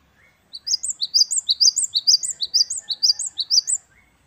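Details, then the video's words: Wucit-wucit kristal song of a great tit, known locally as gelatik batu wingko, in full voice: roughly nine rapid paired high whistled notes repeated evenly over three seconds, with faint lower chirps in the background. "Gelatik Batu Wingko Gacor | WUCIT2 KRISTAL | Great tit birds | Parus Major"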